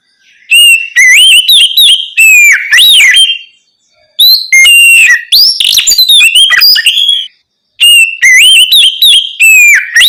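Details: Oriental magpie-robin giving ngeplong song at night to goad untrained birds into singing: three loud bursts of varied whistled phrases, each a few seconds long, with undulating slurs and chips and silent gaps between them.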